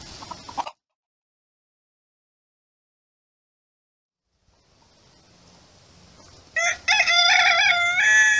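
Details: A farm rooster crows at wake-up time: a loud, harsh crow that climbs and holds, broken into strained syllables, after a short clipped note and a long near-silent stretch.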